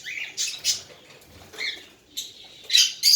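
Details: Tame baby cockatiel giving a few short, raspy, broadband bursts, some with a brief tonal edge, spaced unevenly across a few seconds in a quiet room.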